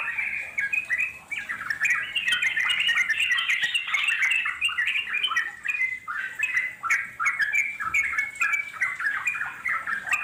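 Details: Wild sooty-headed bulbul (trucuk) in a long, continuous chattering song, called ngeropel panjang, played to draw answers from wild birds; dense overlapping bubbly whistled phrases with rising and falling notes run without pause for ten seconds.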